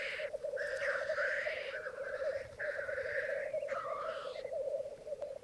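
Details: Lekking black grouse, twelve cocks and two hens, on a bog in Mykland one May morning in 2022. Nearly continuous overlapping hissing sneezes ride over the steady low bubbling of the gathered males.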